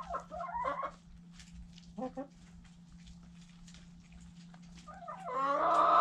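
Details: White Silkie rooster heard at close range: a wavering, nasal squawk at the start, a brief clipped cluck in the middle, then a louder, harsh, sustained cry at the end, all over a constant low hum.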